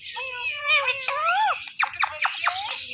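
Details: Green Indian ringneck parakeet mimicking words, a drawn-out nasal meow-like wail that bends upward, followed by several quick clipped syllables, clear and close with little background.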